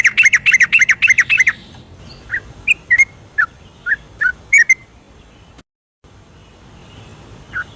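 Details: Night-time 'ropelan' song of a yellow-vented bulbul meant to provoke reluctant singers: a quick run of rich chortling notes, then scattered single whistles separated by pauses and a short silent break.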